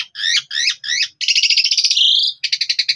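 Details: Javan pied starling (jalak suren) in full, loud song, used as a master recording for other birds to copy: three harsh rolling phrases, a long buzzy rattling note, then rapid repeated sharp notes.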